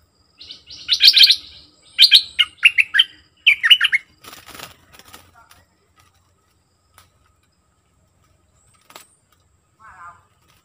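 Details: Decoy song of a sooty-headed bulbul, dated 29/08/64: several quick gurgling, chattering phrases in the first four seconds, then wing flapping and rustling, faint scattered clicks and one short low buzzy note near the end.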